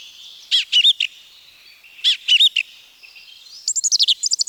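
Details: Forest song of a song thrush, Wielkopolski National Park, Poland: a sharp note cluster given twice, then a fast, high, chattering series of clipped notes, all loud and clean against a quiet background.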